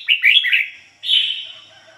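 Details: Decoy red-whiskered bulbul in 'ngoi bổi' song, clean standard voice: a rapid cluster of warbling whistles followed by one long, even whistled note.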